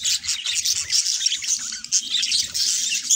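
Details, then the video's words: Pair of house budgies singing and talking, a nonstop busy stream of high chirps, rasping notes and sharp squeaks packed tightly together, with soft low thumps in the background. "Budgie Best Friends - Mango and Chutney - Singing and Talking Sounds"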